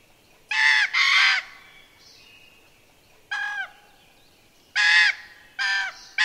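A young Common Raven gives harsh, nasal, grating calls, each about half a second long, in uneven bursts of two or three over quiet background.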